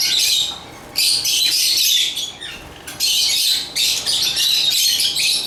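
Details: Agapornis lovebirds chirp in clustered, grating high-pitched bursts, roughly a second on and half a second off, overlapping squawky notes forming a busy chatter with a faint hum beneath.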